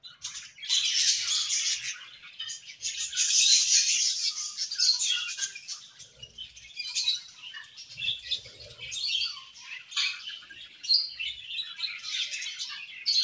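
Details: Playing budgerigars fill the room with a loud, high, continuous warble of chirps and scratchy chatter that later thins into scattered tweets and short bursts, with faint low rustles.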